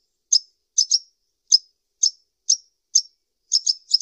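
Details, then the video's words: Sunbird (kolibri ninja) calling with sharp, very high chips, singly or in quick pairs, spaced roughly half a second apart, with silent gaps between; no background noise. "SUARA BURUNG KOLIBRI NINJA"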